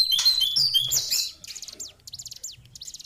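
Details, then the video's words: Lesser shortwing (cingcoang coklat) with a fast, bright warbled phrase of high slurred notes, followed by a series of thin, sharp downward chips repeated quickly. "Master Pancingan Burung cingcoang/jongkangan coklat"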